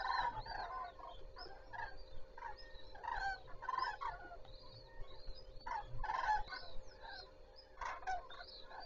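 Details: Common cranes opening the day at Zastawie reservoir, 14 September 2023: a steady stream of overlapping rolling, trumpet-like calls from many birds, pulsing in loudness, over a low continuous hum.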